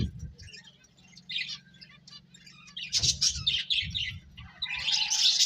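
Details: Finches eating and playing: sparse thin chirps at first, then denser high twittering bursts toward the end, mixed with soft low thuds and a constant faint hum.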